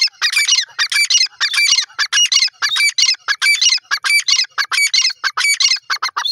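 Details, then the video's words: Francolin calling, a loud harsh squawking series of rapid clipped notes repeated in close bursts without pause, with no other sounds. "dakni teetr ki awaaz,teetar ki awaaz"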